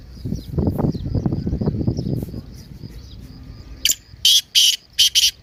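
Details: Partridge 'masti' call, played to get a silent partridge to start calling. Low rumbling noise fills the first seconds, then a burst of four or five loud, rasping high notes closes the clip.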